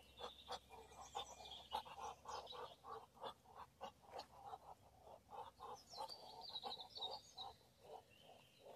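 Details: Two Muscovy drakes competing over the same female give a steady run of breathy, hoarse puffs, about three a second, with faint high chirping of small birds behind.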